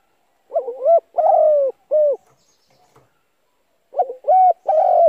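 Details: Spotted dove calling as a lure to make decoy birds coo: one full phrase of short, long descending and short coos, a pause of about two seconds, then a second phrase starting.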